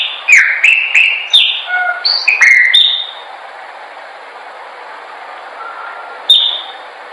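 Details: Chopi blackbird song for training: a lively three-second burst of clear whistles, sliding down and up, with clicks between them. A quiet stretch follows, then one lone high whistled note.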